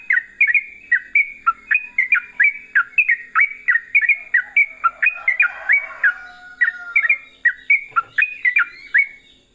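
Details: A long, loud stream of yellow-vented bulbul song in rapid 'ropel' fashion, nearly ten seconds of chattering, gurgling whistled notes, around three per second, with a faint lower whistle drifting underneath midway.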